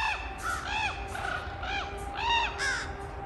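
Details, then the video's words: Crows conversing with a young raven: a rapid run of ringing, arched caws overlapping each other, several birds answering within a few seconds, with low background noise. "Crows & Baby Raven Speak"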